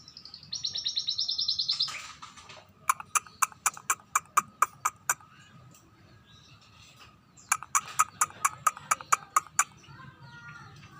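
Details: Scaly-breasted munia singing more often: a brief high trilled buzz, then a long series of dry ticking clicks, a pause, and another burst of quick clicks, with a soft low hum underneath.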